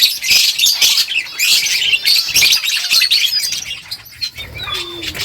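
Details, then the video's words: Several finches chirp busily as they eat, producing a continuous stream of bright, high twittering notes with short trilled and rising calls. "Beautiful finches eating food birds chirping sounds"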